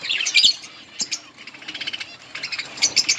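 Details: Budgerigars in a colony feeding on green leaves, chirping in quick high bursts, a busy mix of short sharp notes and warbled chatter.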